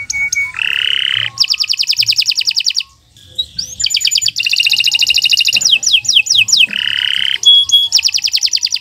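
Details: Long varied canary song meant for tutoring other birds: buzzy rasping phrases alternate with rapid trills, sharp rising sweeps and ringing notes, with a brief pause near the middle.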